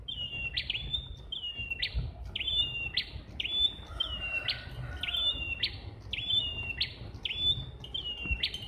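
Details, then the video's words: Two red-headed prinias singing in a jackfruit tree; one repeats a sharp, high, flicking note with a clipped upward sweep about every two-thirds of a second, steady and insistent, over faint background hum. "Prenjak Kepala Merah Suara Gacor"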